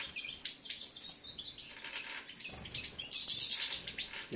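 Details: A caged male European goldfinch in breeding condition, ignored by the female he is paired with, sings a fast, high, liquid twitter of tinkling notes and buzzy trills, growing louder and denser toward the end.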